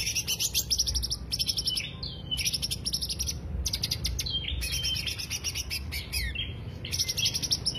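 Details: Greater green leafbird song for luring, a busy stream of rapid high trills and chattering notes with occasional slurred whistles, nearly unbroken, above low background rumble.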